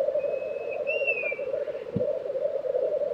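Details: April lek of black grouse in Tiveden, Sweden, 2023, giving continuous rolling, bubbling murmurs, while a thin whistle rises and then slides down above them partway through.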